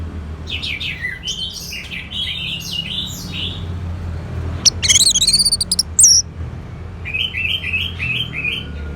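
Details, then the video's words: Orange-headed thrush song, played as therapy audio to prompt a silent bird to sing loudly: rapid varied chirping and warbled phrases in two bursts, a sharp ringing series in the middle, over a low steady hum. "Suara ANIS MERAH"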